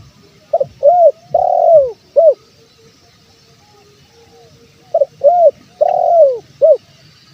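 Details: Spotted dove male giving its calling coo, used to attract wild birds: a four-part phrase of soft hollow coos with a long sliding middle note, repeated once after a three-second gap, with faint hiss behind.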